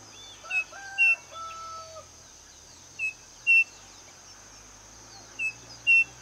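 Striped cuckoo gives a clear two-note whistle, the second note higher, repeated about every two and a half seconds over steady insect hum and a brief lower clucking.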